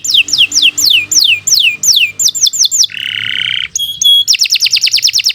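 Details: Domestic canary singing a long continuous song used as a master tutor track: repeated descending whistled sweeps, then a rapid buzzy trill, a few bright metallic notes, and fast high repeated chirps.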